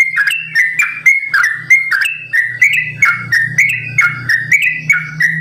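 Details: Long, rapid ropel song of a caged sooty-headed bulbul, simbar jati style: crisp whistled notes in quick succession, rising and falling between phrases, with a droning low hum growing louder underneath.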